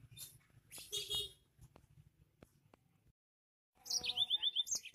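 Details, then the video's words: Fierce-voiced yellow-fronted canary: a few brief high twitters early on, then after a short silence a loud, fast song of repeated rising whistled notes and buzzy trills over faint low hum. "burung mozambik suara gahar"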